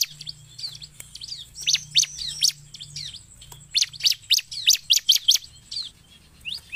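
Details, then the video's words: Lively Bar-winged prinia song, used as a lure for birds: thin upslurred whistles give way to loud clusters of sharp, high, clipped notes repeated quickly, a faint low hum underneath. "SUARA CIBLEK GACOR"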